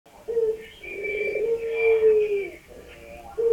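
A Barbary dove gives low, soft coos: a short opening note, then a long drawn-out rolling coo lasting over a second, and another short note to finish.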